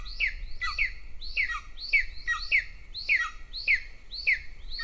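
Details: Begging of the smaller golden eagle chick in a nest in Northern Estonia, as the female feeds the elder chick with prey such as foxes, birds and hares; insistent falling whistled notes repeat every half second.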